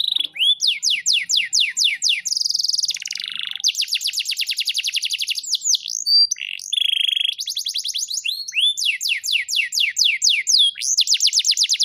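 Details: Canary from Rembang singing loud, varied song: rapid repeated rising and falling whistled trills, a buzzy low rattle and sharp upswept notes, phrases running on without pause.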